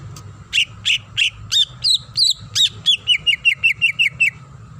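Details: Female greater green leafbird calling to the male: a few full, rich notes, then sharp up-and-down whistles leading into a rapid even run of short chipping notes, about three per second, over a faint low hum.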